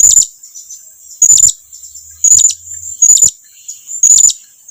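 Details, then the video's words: Blue-crowned hanging parrot summoning its companions to approach: single piercing, very high-pitched notes repeated roughly every second, with a faint low hum in the background. "suara serindit lagi memanggil kawannya agar datang mendekat"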